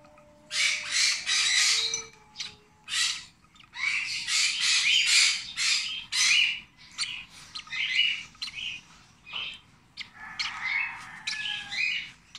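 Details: Rosy-faced lovebird nestling, 26 days old, taking hand-feeding: long run of scratchy, buzzy begging squawks in rapid bursts, some higher chirps toward the end, a faint low tone early on.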